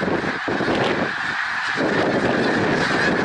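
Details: A huge gathering of snow geese at Middle Creek Wildlife Refuge, Pennsylvania, on 1 March 2021, honking together in a loud, dense, continuous chorus with a rushing undertone.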